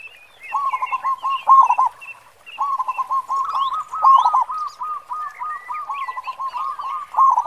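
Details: Hearty local zebra dove song in the deep 'khong' style favoured for luring other doves; repeated phrases of rapid hollow coos each build to a loud rolling flourish, with chirps and whistles of other birds higher up.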